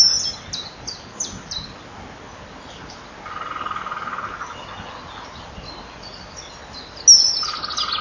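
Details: During breeding, a male common kingfisher flies past the nest calling at 18:06 after the female enters the tunnel; nest-wall camera recording. Thin, high, shrill whistles come in a quick series at the start and again near the end, over a low hum.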